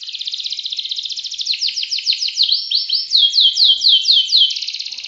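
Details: Continuous canary song in ngerek style: an even, fast rattling trill gives way to a row of upward-sweeping whistled notes, then another dense trill, all high and unbroken.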